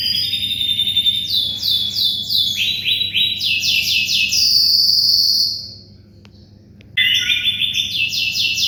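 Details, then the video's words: Canary in vigorous song used to tutor white-rumped shamas: quick rolling trills of falling sweeps, several per second, a long bright held note, a brief near-silent gap, then the trills resume over a low hum. "SUARA BURUNG KENARI GACOR"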